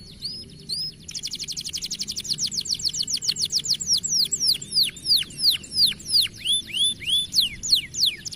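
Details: Young canary song: short whistled notes, then a long fast trill of sharp downswept notes that slows into evenly spaced, rhythmic whistled swoops.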